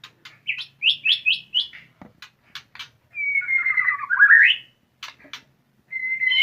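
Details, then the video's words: A white-rumped shama begins showing its "fighter" singing. It gives a quick run of five rising chirps, then long sliding whistles that twist upward, with scattered sharp clicks in between. "Sudah Mulai Keluar Fighter Nya"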